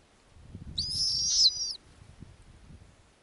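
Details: Snowy owlets in an Arctic nest, summer night, their mother back with a lemming to feed them; one harsh, very high screech lasting about a second, wavering and slightly falling at its end, over a soft low rumble.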